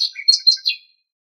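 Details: Common nightingale singing in Greek nature: a brief burst of high, sharp chirped notes with a few lower buzzy elements, ending abruptly and followed by silence.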